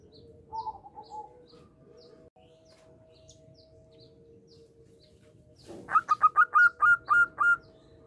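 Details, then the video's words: Local zebra dove (perkutut) singing, used as a lure to make other doves answer; after a quiet start with faint distant chirps, a rapid run of about eight bright, evenly spaced cooing notes fills the last two seconds. "Perkutut lokal gacor suara unik getop untuk pancingan langsung nyaut"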